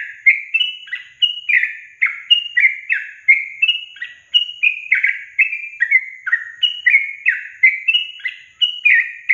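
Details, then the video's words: Sooty-headed bulbul notes played to get caged birds singing, a continuous run of bright, clipped, downward-slurred chirps repeated about once a second at steady pace over a quiet background. "Pancingan Trucukan SUSAH BUNYI, BAKALAN dijamin dalam menit saja langsung NYAUT GACOR"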